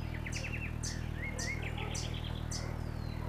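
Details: Crimson Topaz, a territorial, dominant Amazon hummingbird, giving high, sharp chips about twice a second mixed with quick twittering note series, over a steady low hum.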